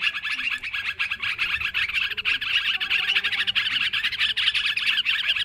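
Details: Sooty-headed bulbuls calling noisily in a lure recording: rapid, overlapping bubbly notes and chirps packed closely, with a few clearer whistled notes standing out.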